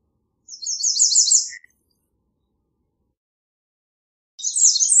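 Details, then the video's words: American redstart delivering a fast, high series of repeated notes lasting about a second, with a second phrase beginning four seconds later. "American Redstart Song! Call! Sound! Singing! - Candelita Norteña Canto"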